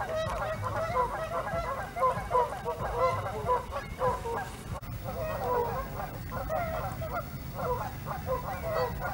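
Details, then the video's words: Continuous overlapping honks from Canada geese seen up close at Hawreluk Park Lake, loud nasal calls crowding one another with a low background rumble. "Canada Geese at Hawreluk Park Lake"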